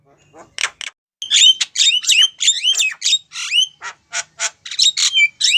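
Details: A female Javan myna calls for a male, giving clipped harsh squawks and sharp whistled rising slurs in an irregular, quick sequence, with brief gaps between bursts.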